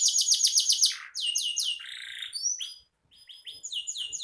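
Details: Singing canary, suitable as tutor song for songbirds: rapid paired high notes, then slower sweeping whistles and a buzzy trill, a short silence, and thin rising whistles resuming.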